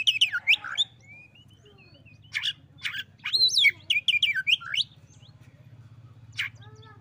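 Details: Oriental magpie-robin answering a rival with a rapid jumble of varied whistles, chirps and slurred rising notes, delivered in quick bursts between brief pauses, with a constant low droning hum underneath.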